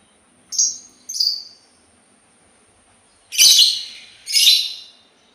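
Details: Sultan tit giving two short high sharp notes, then a pause and two louder, harsher, broadband chattering bursts about a second apart, over a quiet background.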